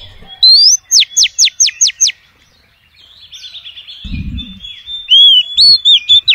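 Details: Female oriental magpie-robin calling males, a lure recording: a rising whistle and six rapid falling sweeps, a soft buzzy chatter and a brief low thump, then another run of high whistled and swept notes.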